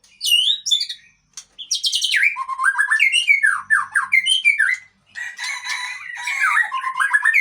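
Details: Murai Aceh white-rumped shama, a strong male, pouring out a rich, rapid song of slurred whistles, descending swoops and harsh chattering bursts, with only a short pause midway.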